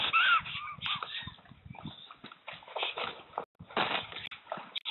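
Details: Black storks fighting on a nest in RDLP Łódź, Poland, 15 April 2020: a new female attacks and the male gives up after trying to push her out. A brief wheezy whistle, then rough hissing bursts and scuffling, with short pauses.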